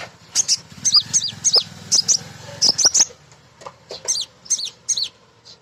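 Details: Female Crimson Sunbird calling males, a sound used to lure birds into song. Bright, high, sharply inflected chirps in quick pairs and triplets, with a brief pause midway before the chirping resumes.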